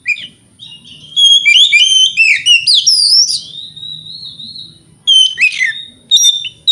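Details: White-rumped shama singing in the morning to provoke rival birds into answering: a rich, loud run of varied whistled phrases, sweeping slurs and sharp high notes in bursts, with a long steady whistle and brief pauses between outbursts.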